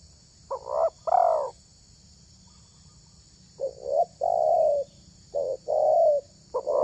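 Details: Spotted dove, a bird with a highly praised voice used in luring wild doves, uttering several hollow cooing phrases separated by pauses, each a clipped note followed by a longer mellow one, against a faint continuous high hum.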